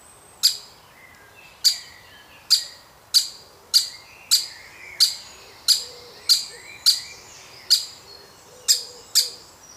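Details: A baby woodpecker is fed by its family. About fifteen crisp, high, snapping notes come in ten seconds, unevenly spaced, each with a ringing tail. Faint thin whistles sound in the background.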